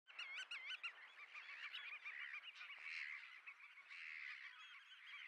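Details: Black-tailed godwits (Limosa limosa) mating at Poelgeest, the Netherlands, on 29 March 2024 give a dense run of nasal, wavering calls, several birds overlapping at a fast, uneven pace, with no other clear sounds.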